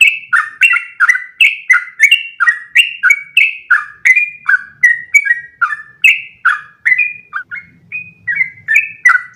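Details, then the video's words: Sooty-headed bulbul delivering long unbroken song as a tutor for other bulbuls: quick series of whistled, downward-sliding paired notes, steady for nine seconds, with faint low hum near the end. "MASTERAN burung trucukan terbaik biar ikutan ropel panjang 1 nafas"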